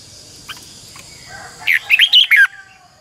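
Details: Red-whiskered bulbul used as a decoy singer for training: a short phrase of four or five quick, bright warbled notes near the end, preceded by faint distant whistles and a soft background hum.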